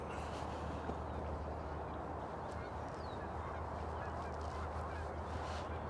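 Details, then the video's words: Canada geese, three flying over a park lake, honk in flight with deep nasal calls repeated irregularly, partly buried under heavy wind rumble and outdoor noise. "Looks like geese. Sounds like geese."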